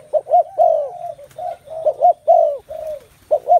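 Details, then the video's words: Spotted doves fill the air with cooing: mellow, mid-pitched coos in two-note pulses, each followed by a longer drawn-out falling coo, overlapping and repeating, with a faint low hum beneath. "Một không gian đầy ấp tiếng chim cu gáy"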